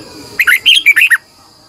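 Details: A single brisk phrase from a red-whiskered bulbul singing in the morning as a training lure: six or seven rapid, bright whistled syllables rising and falling, over faint steady background hiss.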